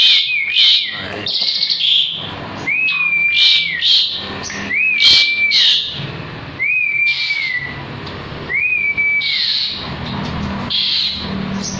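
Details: Asian pied starling (jalak suren) in full song, kept as a caged bird for tutoring other birds: clear whistled notes sliding up and down, repeated about every two seconds, with harsh chattering bursts between them and faint background noise.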